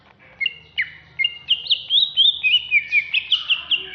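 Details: Agitated greater green leafbird, Alas Purwo type, kept caged in Jatiasih, Bekasi: a few spaced whistles then a rapid regular series of looping slurred notes, about four per second, clear and high.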